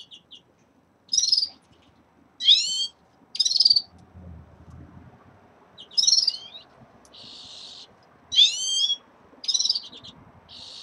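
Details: Red-fronted serins in a cage, early in moult: bright, slurred whistled twitters and buzzy notes repeated in short bursts, with a soft low rumble in the background.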